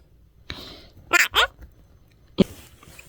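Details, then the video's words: A pet parrot, usually quiet but chatty when its owner makes it a blanket cave, says two quick, bright, word-like syllables. A soft click comes before them and a dull thump after, in a quiet room. "조용한 앵무새 이불로 동굴을 만들면 하는 말들"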